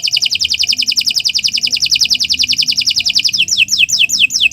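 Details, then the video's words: Canary singing long, non-stop song used as a training model for other birds: a fast, even trill of high notes, then a slower run of descending swept whistles. "Kicau Burung Kenari 179 II LUAR BIASA GACOR PANJANG Cocok untuk Masteran"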